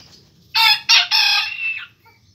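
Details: Pelung chicken crowing: a large-bodied rooster with a full crop after eating corn. The crow comes in three loud harmonic bursts, two short and choppy, then a long drawn-out note that slowly falls away. Background is quiet.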